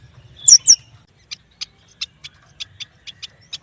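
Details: Yuhina, locally prenjak batu, in full song. It opens with two loud, sharp high whistled notes, followed by a steady series of quieter short ticking chirps roughly every quarter second.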